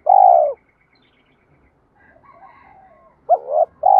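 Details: Calling spotted dove, cooing to stir a rival into answering and fighting: a long low note, a pause with faint background chatter, then a short double note and another long note.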